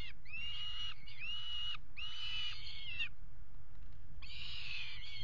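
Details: Peregrine falcons mating at a water tower nest box, 5 February 2018: three drawn-out, harsh wailing calls in a row, a brief gap, then another grating call, with low hum beneath.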